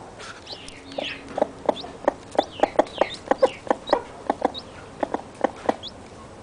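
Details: Newly hatched chicks with their mother: rapid low clucks every quarter second or so, while high, thin, downslurred chick peeps sound repeatedly in the first half.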